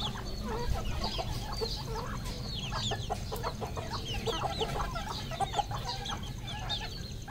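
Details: Red junglefowl at a Cambodian farm produce rows of short clucking notes and mid-pitched chirps in irregular bursts, overlaid by fainter high peeps and a steady low hum.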